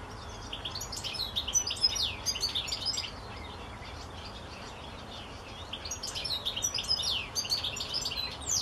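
A European goldfinch sings in two bright, tinkling bursts of quick twitters and buzzy trills, high-pitched and rapid, over a soft background hiss.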